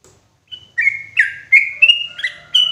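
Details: Sooty-headed bulbul lure call for forest trapping, loud and clear: a few drawn-out, slightly buzzy whistled notes rising step by step, over a faint low background hum.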